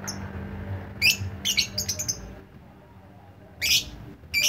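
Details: Lovebird chirping, kicau ngetik style: clusters of harsh, buzzy high chirps in quick bursts, a quiet gap, then more rasping squawky notes; faint low hum underneath.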